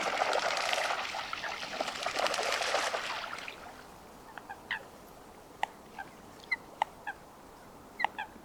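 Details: Coots in a wetland at Chiflón, 8:11 in the morning, 3 January 2025: a dense clamouring chatter for three seconds, then short, sharp, explosive single notes about a second apart against quiet water.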